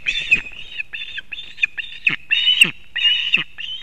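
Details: Osprey mother arriving with fish for her chick at the nest, Kurzeme, Latvia, 31 August 2024: loud, high, whistled chirping calls in quick bursts, several notes run together, each ending in a short downward flick.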